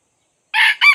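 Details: Red junglefowl crowing as a decoy to lure wild junglefowl, caught only partly: a harsh, broad crow syllable followed by a short rising note after a silent start.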